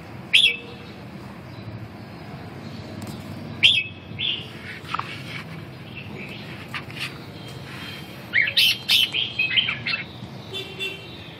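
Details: Red-whiskered bulbul with scattered whistled notes early, then a dense burst of rapid chirpy warbling near the end, over a noisy background with faint rustling clicks.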